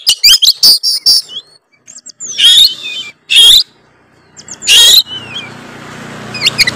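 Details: Oriental magpie-robin of the Tretes type in full song with varied fill-in phrases, used to provoke rival birds: very loud, high whistled and slurred bursts mixed with harsh rasping notes, in irregular spurts with short pauses.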